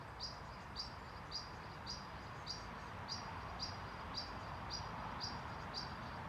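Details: A European pied flycatcher parent in Sundsvall, Sweden, on 20 June 2023 gives sharp, high alarm notes about every half second, warning its nestlings in a nest box to keep quiet, over a steady low hiss.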